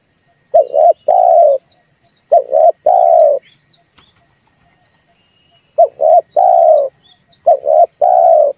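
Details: Red collared dove giving low, gruff coos in phrases of two short notes and a longer drawn note, repeated every couple of seconds over a faint steady hum; the recording is used to stimulate birds to sing and as a trapping lure.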